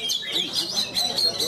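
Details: Caged Oriental magpie-robin (kacer) competing at a bird singing contest in Kadungora, Garut, Indonesia, winning double winner; a brief burst of bright, high whistled notes in quick succession, with faint crowd noise beneath.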